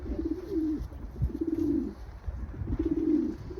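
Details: Pigeons of a breeding pair give deep, throaty coos, three drawn-out rolling phrases spaced about a second apart, each wavering slightly in pitch, over a low constant hum.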